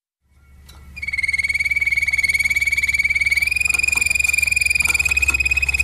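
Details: Waterslager canary, Malinois type, singing a long sustained rolling trill on one steady pitch, rapidly pulsed throughout and rising slightly midway, with a low hum beneath.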